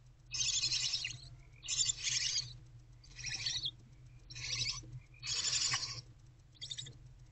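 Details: Nestling barn owls calling from their nest box in the early morning hours of 11 February 2024 with the adult female away: six rasping, noisy hisses of varying length in quick succession, with a constant low background hum.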